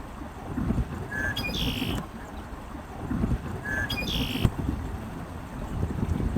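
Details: A Red-winged Blackbird, first heard as a silhouette atop a tree before flying to a bridge sign, gives two songs about two and a half seconds apart, each a short clear note then a harsh buzzy trill, over steady wind or engine rumble.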